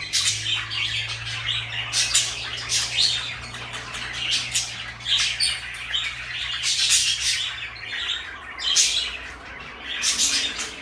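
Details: Two pet parakeets, one blue and one light yellow, kept as companions, fill the air with rapid scratchy chirps and harsh squawks in dense overlapping bursts, a low steady hum running underneath for most of the stretch.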